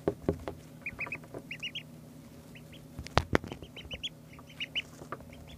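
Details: Ducklings two days old peep busily: bright, short high notes in uneven groups of two to four, mixed with thumps and knocks from handling or movement nearby.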